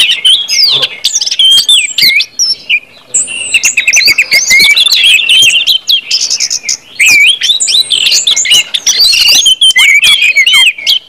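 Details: Orange-headed thrush in extended ngeplong song, played to make other birds start singing quickly. Long, varied run of whistles, buzzy trills, rapid repeated notes and looping slurred phrases, with short breaks between bursts.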